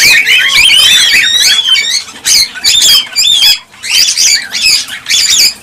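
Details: Breeding-stimulation cockatiel calls: high, shrill squawks and twisting whistles pour out in dense runs, with one short silence midway.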